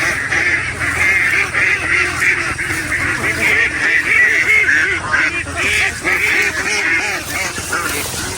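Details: A crowd of hungry domestic ducks quacks continuously in overlapping nasal calls, nearly two per second, at feeding time, with a person calling them nearby; the noisiest are said to be females.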